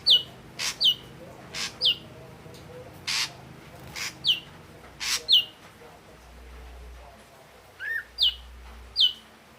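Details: Singing ashy drongo, red-eyed type: evenly spaced pairs of high falling whistles, each preceded by a broad clicking burst, then a lower hooked note and two final whistles after a quieter stretch.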